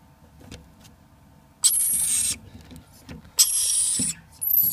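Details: Two hand-raised lorikeets give three harsh, rasping screeches, each under a second long, with short quiet gaps between them.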